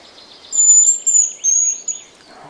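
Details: At Grimsö Wildlife Research Station in Sweden, in shrubby alder and spruce habitat, a male hazel grouse defending its territory sings back to a whistle imitation during a survey. Its song is a very high, thin, drawn-out whistle of about 1.5 seconds with softer lower tones, over faint outdoor background.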